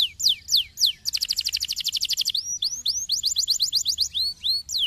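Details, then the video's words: Canary song used to get other canaries singing, made of changing tours: a few slow down-swept notes, a rapid buzzing trill of clipped notes, then upward-sweeping whistles and a slower run of high chips. "Canarios poderosos para estimular el sonido del canto de los pájaros"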